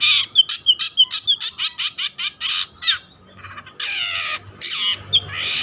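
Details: Long-tailed shrike singing steadily, meant to lure other shrikes into song: a quick run of short, scratchy chirps about five per second, a brief pause, then longer grating, screechy bursts.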